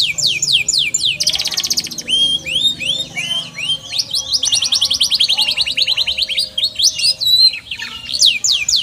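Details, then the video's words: A canary sings a long, unbroken song of high, fast trills and rolls, with quick rising and falling sweeps and steady rattling phrases throughout. "KENARI CORDOR"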